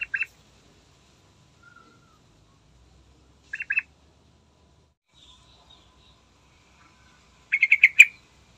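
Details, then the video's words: Yellow-vented bulbul singing in the morning, as a lure to draw other birds into song: three short bubbly bursts of quick chattering notes, separated by long silent gaps, with faint softer notes between. "Trucukan Andalan Gacor Istimewa Pagi Hari Manjur Buat Pancingan"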